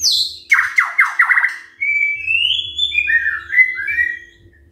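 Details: Morning white-rumped shama song intended to prompt other birds to sing: a high note, a fast series of descending strokes, then drawn-out sweet whistles that rise and waver; faint low hum in the background.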